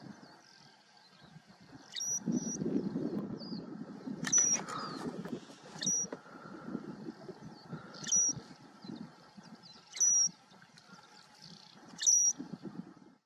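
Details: Southern grey shrike of the subspecies koenigi on the El Jable plain, Lanzarote, in December 2019: short, sharp, high-pitched notes given singly about every two seconds, quiet against a low rumbling background.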